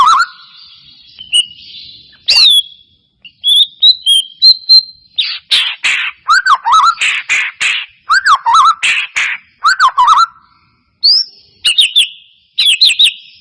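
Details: White-rumped shama song used as a lure to make a reluctant caged bird sing: high thin whistles and sweeps, then dense bursts of slurred whistles and rasping notes in quick clusters separated by short pauses.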